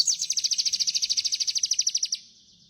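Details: Sooty-headed bulbul singing energetically with rich fill-ins: a two-second rapid trill of high, sharp chirps at a steady pace, then fading out with faint background hum.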